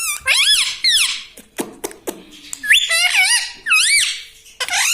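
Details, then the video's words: House parrot mimicking speech indoors, with loud arching harmonic syllables at the start, a few clicks and a low buzzy note, then more wavering word-like phrases. "Talking parrot || mitthu mitthu || tota || Bolne wala tota"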